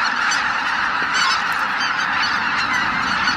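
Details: Huge flock of over 83,000 greater white-fronted geese leaving their roost at Miyajimanuma, Japan, early morning of 23 April 2017 in poor weather, in a dense, unbroken chorus of high, yelping honks, countless voices overlapping.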